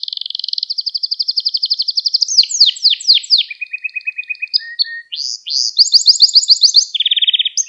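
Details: Pet canary song meant to train young canaries: a steady buzzy trill, then bursts of sweeping notes, low rolling chatter, short whistles and a final rapid trill, delivered without pause.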